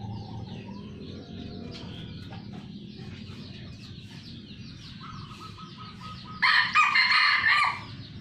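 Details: Farmed red junglefowl in Sumatra: several seconds of faint background chatter and hum, then a strong ragged crow about 1.3 seconds long near the end, rising clearly above the surroundings.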